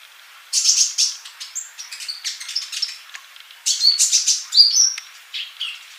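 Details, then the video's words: Actively singing male Van Hasselt's sunbird, used as a tutor recording for young birds that are still silent. Two bursts of sharp, high, tinkling chirps with quick trills and short whistles, separated by a quieter pause. "Kolibri Ninja Jantan Gacor buat masteran yang masih bisu"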